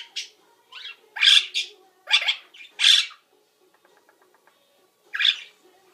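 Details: Pet parrot mimicking linnies, budgies and microwave beeps during its nap routine; a few loud scratchy squawks in quick succession, a short pause with faint clicks, then one more squawk.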